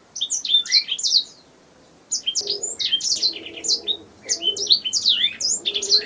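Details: Canary song used as a master recording for training songbirds: a burst of rapid high chirps, a two-second silence, then continuous sweeping trills with faint low warbling underneath.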